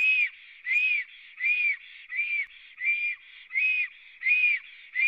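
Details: Nest of three black storks in Latvia on 24 April 2017, 11:55, captured by a live cam; loud whistled notes repeated rhythmically, about seven in five seconds, each arching up and down.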